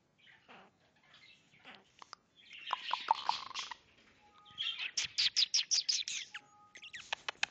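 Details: A pet male Goldie's lorikeet courting its owner's hand chatters in harsh, buzzy squeaks, then about nine quick scratchy notes with thin, level whistles between phrases; his courtship includes purring, sneezing and chicken-like clucking.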